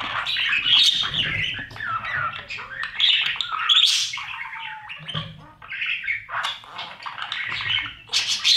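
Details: Budgerigar chicks in a nest box being fed by their parents, part of a daily breeding routine; dense overlapping raspy, squawking chirps, nearly continuous, with brief tonal notes and rustling underneath.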